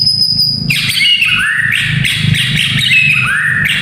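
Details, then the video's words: White-rumped shama singing to train young fighter males: a thin high tone, then loud downward-slurred whistled phrases repeated about every half second. "Murai Batu Fighter - Suara Ini Melatih Mental Fighter Murai Muda"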